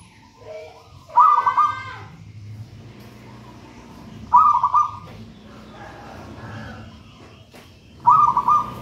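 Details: Zebra dove of wild local origin, from a raja banana plant nest, giving three bubbling coo phrases several seconds apart amid faint bird calls and low background noise.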